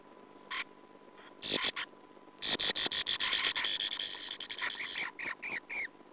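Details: Sand martin at the nest, picked up by a nest camera in 2009: a few isolated raspy notes, then from about two and a half seconds a dense run of harsh, buzzy chirping bursts repeated in quick succession until the end.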